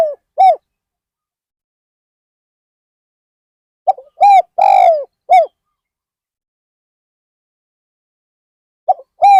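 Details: Decoy spotted dove used to lure wild birds at Ban Nong Hin, one full cooing phrase between fragments: a brief note, a soft coo, a long slurred descending coo and a closing coo, with quiet gaps.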